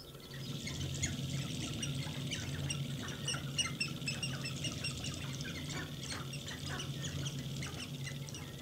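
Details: Sharp-tailed grouse dancing and fighting in their mating display give a busy stream of short clucking and cackling notes, several birds overlapping without pause, over a steady low hum.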